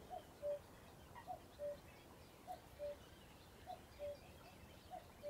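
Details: Common cuckoo calling steadily at Ham Wall Nature Reserve, Somerset, UK; clear two-note cuckoo phrases, high then low, repeated regularly about every 1.2 seconds, over a quiet rural backdrop.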